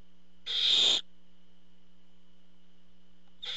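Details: Barn owl at a monitored nest during a food delivery by the male: one breathy half-second screech, a long pause over steady hum, then the start of another.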